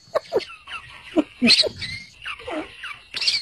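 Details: Partridge chicks fighting and chirping: scattered sharp squeaks and short downslurred whistles, with a few longer thin tones drawn out between the louder harsh notes.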